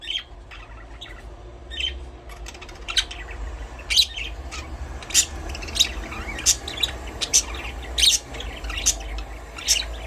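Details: Budgerigar chirping steadily: bright, high, rapid chirps and short warbled notes repeated several times a second, with a faint background hum.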